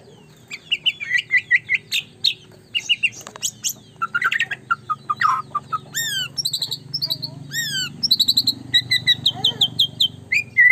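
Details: Caged white-rumped shama pouring out a long varied song of chirps and trills, then series of high downward-arched whistles repeated in rapid runs, over a faint hum.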